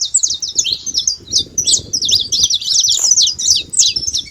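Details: Saffron finch singing free in the wild, a rapid continuous string of sharp high chirps and quick sweeping slurs, about three notes a second, with faint low background rumble.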